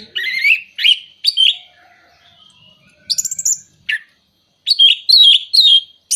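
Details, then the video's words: Orange-headed thrush song for stimulating moulting or non-breeding birds: spaced bursts of bright warbled whistles, a high buzzy trill mid-way, then a lively closing run of slurred notes. "Pancingan Burung Anis Merah Mabung, Macet, dan Kurang Birahi"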